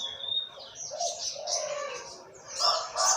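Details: Olive-backed sunbird (Sogok Ontong) from Jogja singing in the morning, in the rapid 'trotol ngalas' style favoured for tutoring other songbirds: high thin chirps and trills, with lower tonal notes from other birds beneath.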